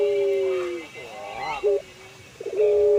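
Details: Puter pelung collared dove, a cage bird kept for its melodious drawn-out voice: a long coo gently falling in pitch, then a short wavering note and the start of another sustained coo.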